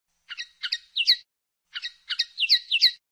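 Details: Common linnet song in two twittering phrases of three to five chirpy notes each, separated by a half-second pause, bright and high.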